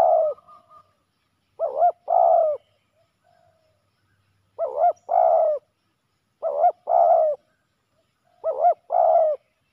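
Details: Male spotted doves fighting fiercely at a ground decoy setup; deep two-part cooing phrases, a short double note then a longer rolling coo, repeated about every two to three seconds in a quiet background.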